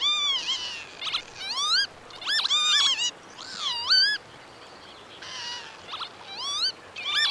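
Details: Northern lapwing in open habitat, pouring out a run of wheezy, swooping whistles, roughly one phrase per second, with steep up-and-down slurs and brief gaps between bursts.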